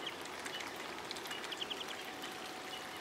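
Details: White-faced whistling duck (Dendrocygna viduata) at a zoo in Opole giving a quick run of thin, high whistled notes, faint behind a steady rushing wash like flowing water.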